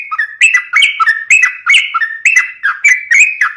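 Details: Sooty-headed bulbul delivering quick, bubbly whistled phrases, each a cluster of slurred notes rising then dropping, repeated about once a second in a busy, cheerful stream.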